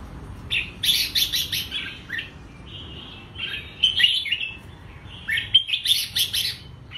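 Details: Red-whiskered bulbul giving three bright, chattering phrases of quick whistled and warbled notes, each about a second long, with brief pauses between; used as a training song to teach bulbuls double notes.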